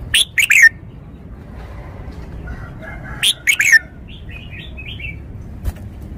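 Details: Caged red-whiskered bulbul showing a clear song style: two matching bursts of three or four bold, warbled whistles about three seconds apart, followed by softer rising chirps and a quiet hum.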